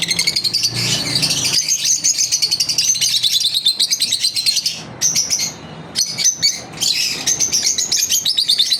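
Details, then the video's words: Lovebirds in a daily routine, a flock chattering nonstop with rapid high chirps and sharp squeaks, briefly quieter midway before the busy twittering resumes. "Lovebirds Chirping Video Daily routine"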